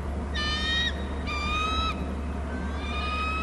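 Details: Bald eagles on Hornby Island, recorded by a nest and territory camera, calling between the nest and the territory: three high, whistled, harmonic-rich calls, each about half a second long, over a steady low hum.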